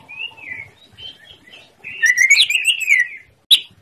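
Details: Greater green leafbird song used as a master recording to prompt silent birds: soft warbled phrases, then a loud rich burst of slurred, rising and falling whistles with harsh chattering overtones, ending in a sharp single note.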